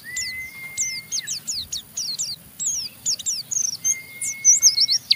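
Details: Caged Oriental white-eye giving a rough chattering ngeriwik song meant to stimulate other white-eyes to sing: high, rapid, slurred chirps and twitters, with a long steady whistle near the start and again near the end; faint low rumble beneath.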